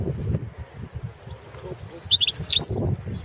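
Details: One quick burst of high, sparkling twitters and slurred notes from a balcanica European goldfinch, recorded for the 2017 World Championship in Goldfinch Song, over soft low background thuds.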